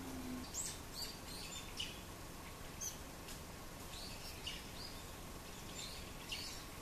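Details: Brown-eared bulbuls crowd an Idesia tree, busily eating its fruit. Many high chirps and squeaky slurred notes overlap from several birds throughout, scattered unevenly against a background of steady hiss.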